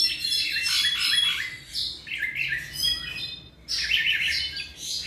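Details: Tropical mockingbird about 7 months old singing in bursts of varied, rapid chirps and warbled phrases, each burst separated by brief pauses.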